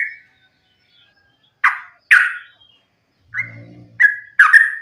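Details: Sooty-headed bulbul fighting song, played to encourage other bulbuls to sing; a few loud harsh chirps separated by pauses, then short clear whistled notes in quick succession.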